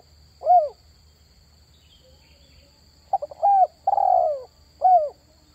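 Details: Spotted dove call for luring wild doves: one clean falling coo, a long quiet gap, then a phrase of clipped notes, a mellow coo, a buzzy descending drawn-out coo and a sharp final note.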